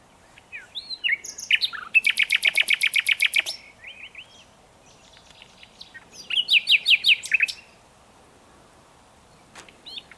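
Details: Common nightingale song: a rapid rattling burst of evenly repeated notes lasting about two seconds, a pause, then a second shorter rattling phrase, with soft whistles between.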